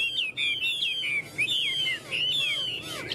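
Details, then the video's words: Tame caged Chinese hwamei singing: a continuous stream of loud, clear whistled notes that slide up and down, with slurred phrases run together over about three seconds and only short pauses. "Họa mi thuần ôm cóng"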